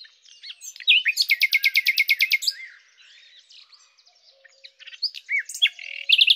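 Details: A common nightingale delivers a fast rattling trill of some fifteen loud pulses, drops into a soft, nearly silent passage, then resumes with sharp rising notes and a bright buzzy ending.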